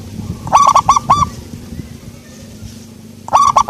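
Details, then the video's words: Local zebra dove with a soft voice, giving a short phrase of four quick, hollow cooing notes followed by a slightly longer note, then starting the phrase again near the end, over a low, steady background hum. "perkutut lokal suara empuk"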